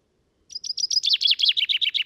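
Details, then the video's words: A common chaffinch in Britain delivers its strong song, recorded on a Sound Devices MixPre 6 II with Telinga Stereo Mk 3: high repeated notes that quicken and step down into a rattling descending trill, cut off before the ending. "Chaffinch Song"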